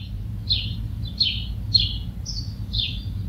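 A house sparrow gives bright, slurred chirps, about two per second in an uneven run, over a low rumble of passing traffic.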